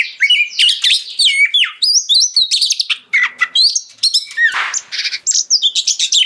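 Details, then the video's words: Magpie-robin song, loud and unbroken, aimed at making other magpie-robins join in: varied sharp whistles, hooked slurs and rattling chatter in quick succession, with one brief noisy rasp near the end. "Suara Kacer Gacor Ngeplong Bikin Kacer Lain Ikut Nyaut Bunyi Dan Gacor"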